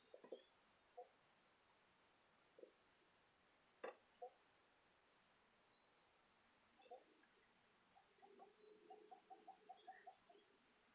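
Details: Soft, low clucking notes from quail in an aviary, scattered at first, then quickening into a run of short peeps.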